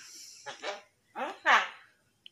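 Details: Household common myna that flew in, nested indoors and is raised like a child, imitating human speech; three short, speech-like voiced syllables with a brief gap between, in a quiet room.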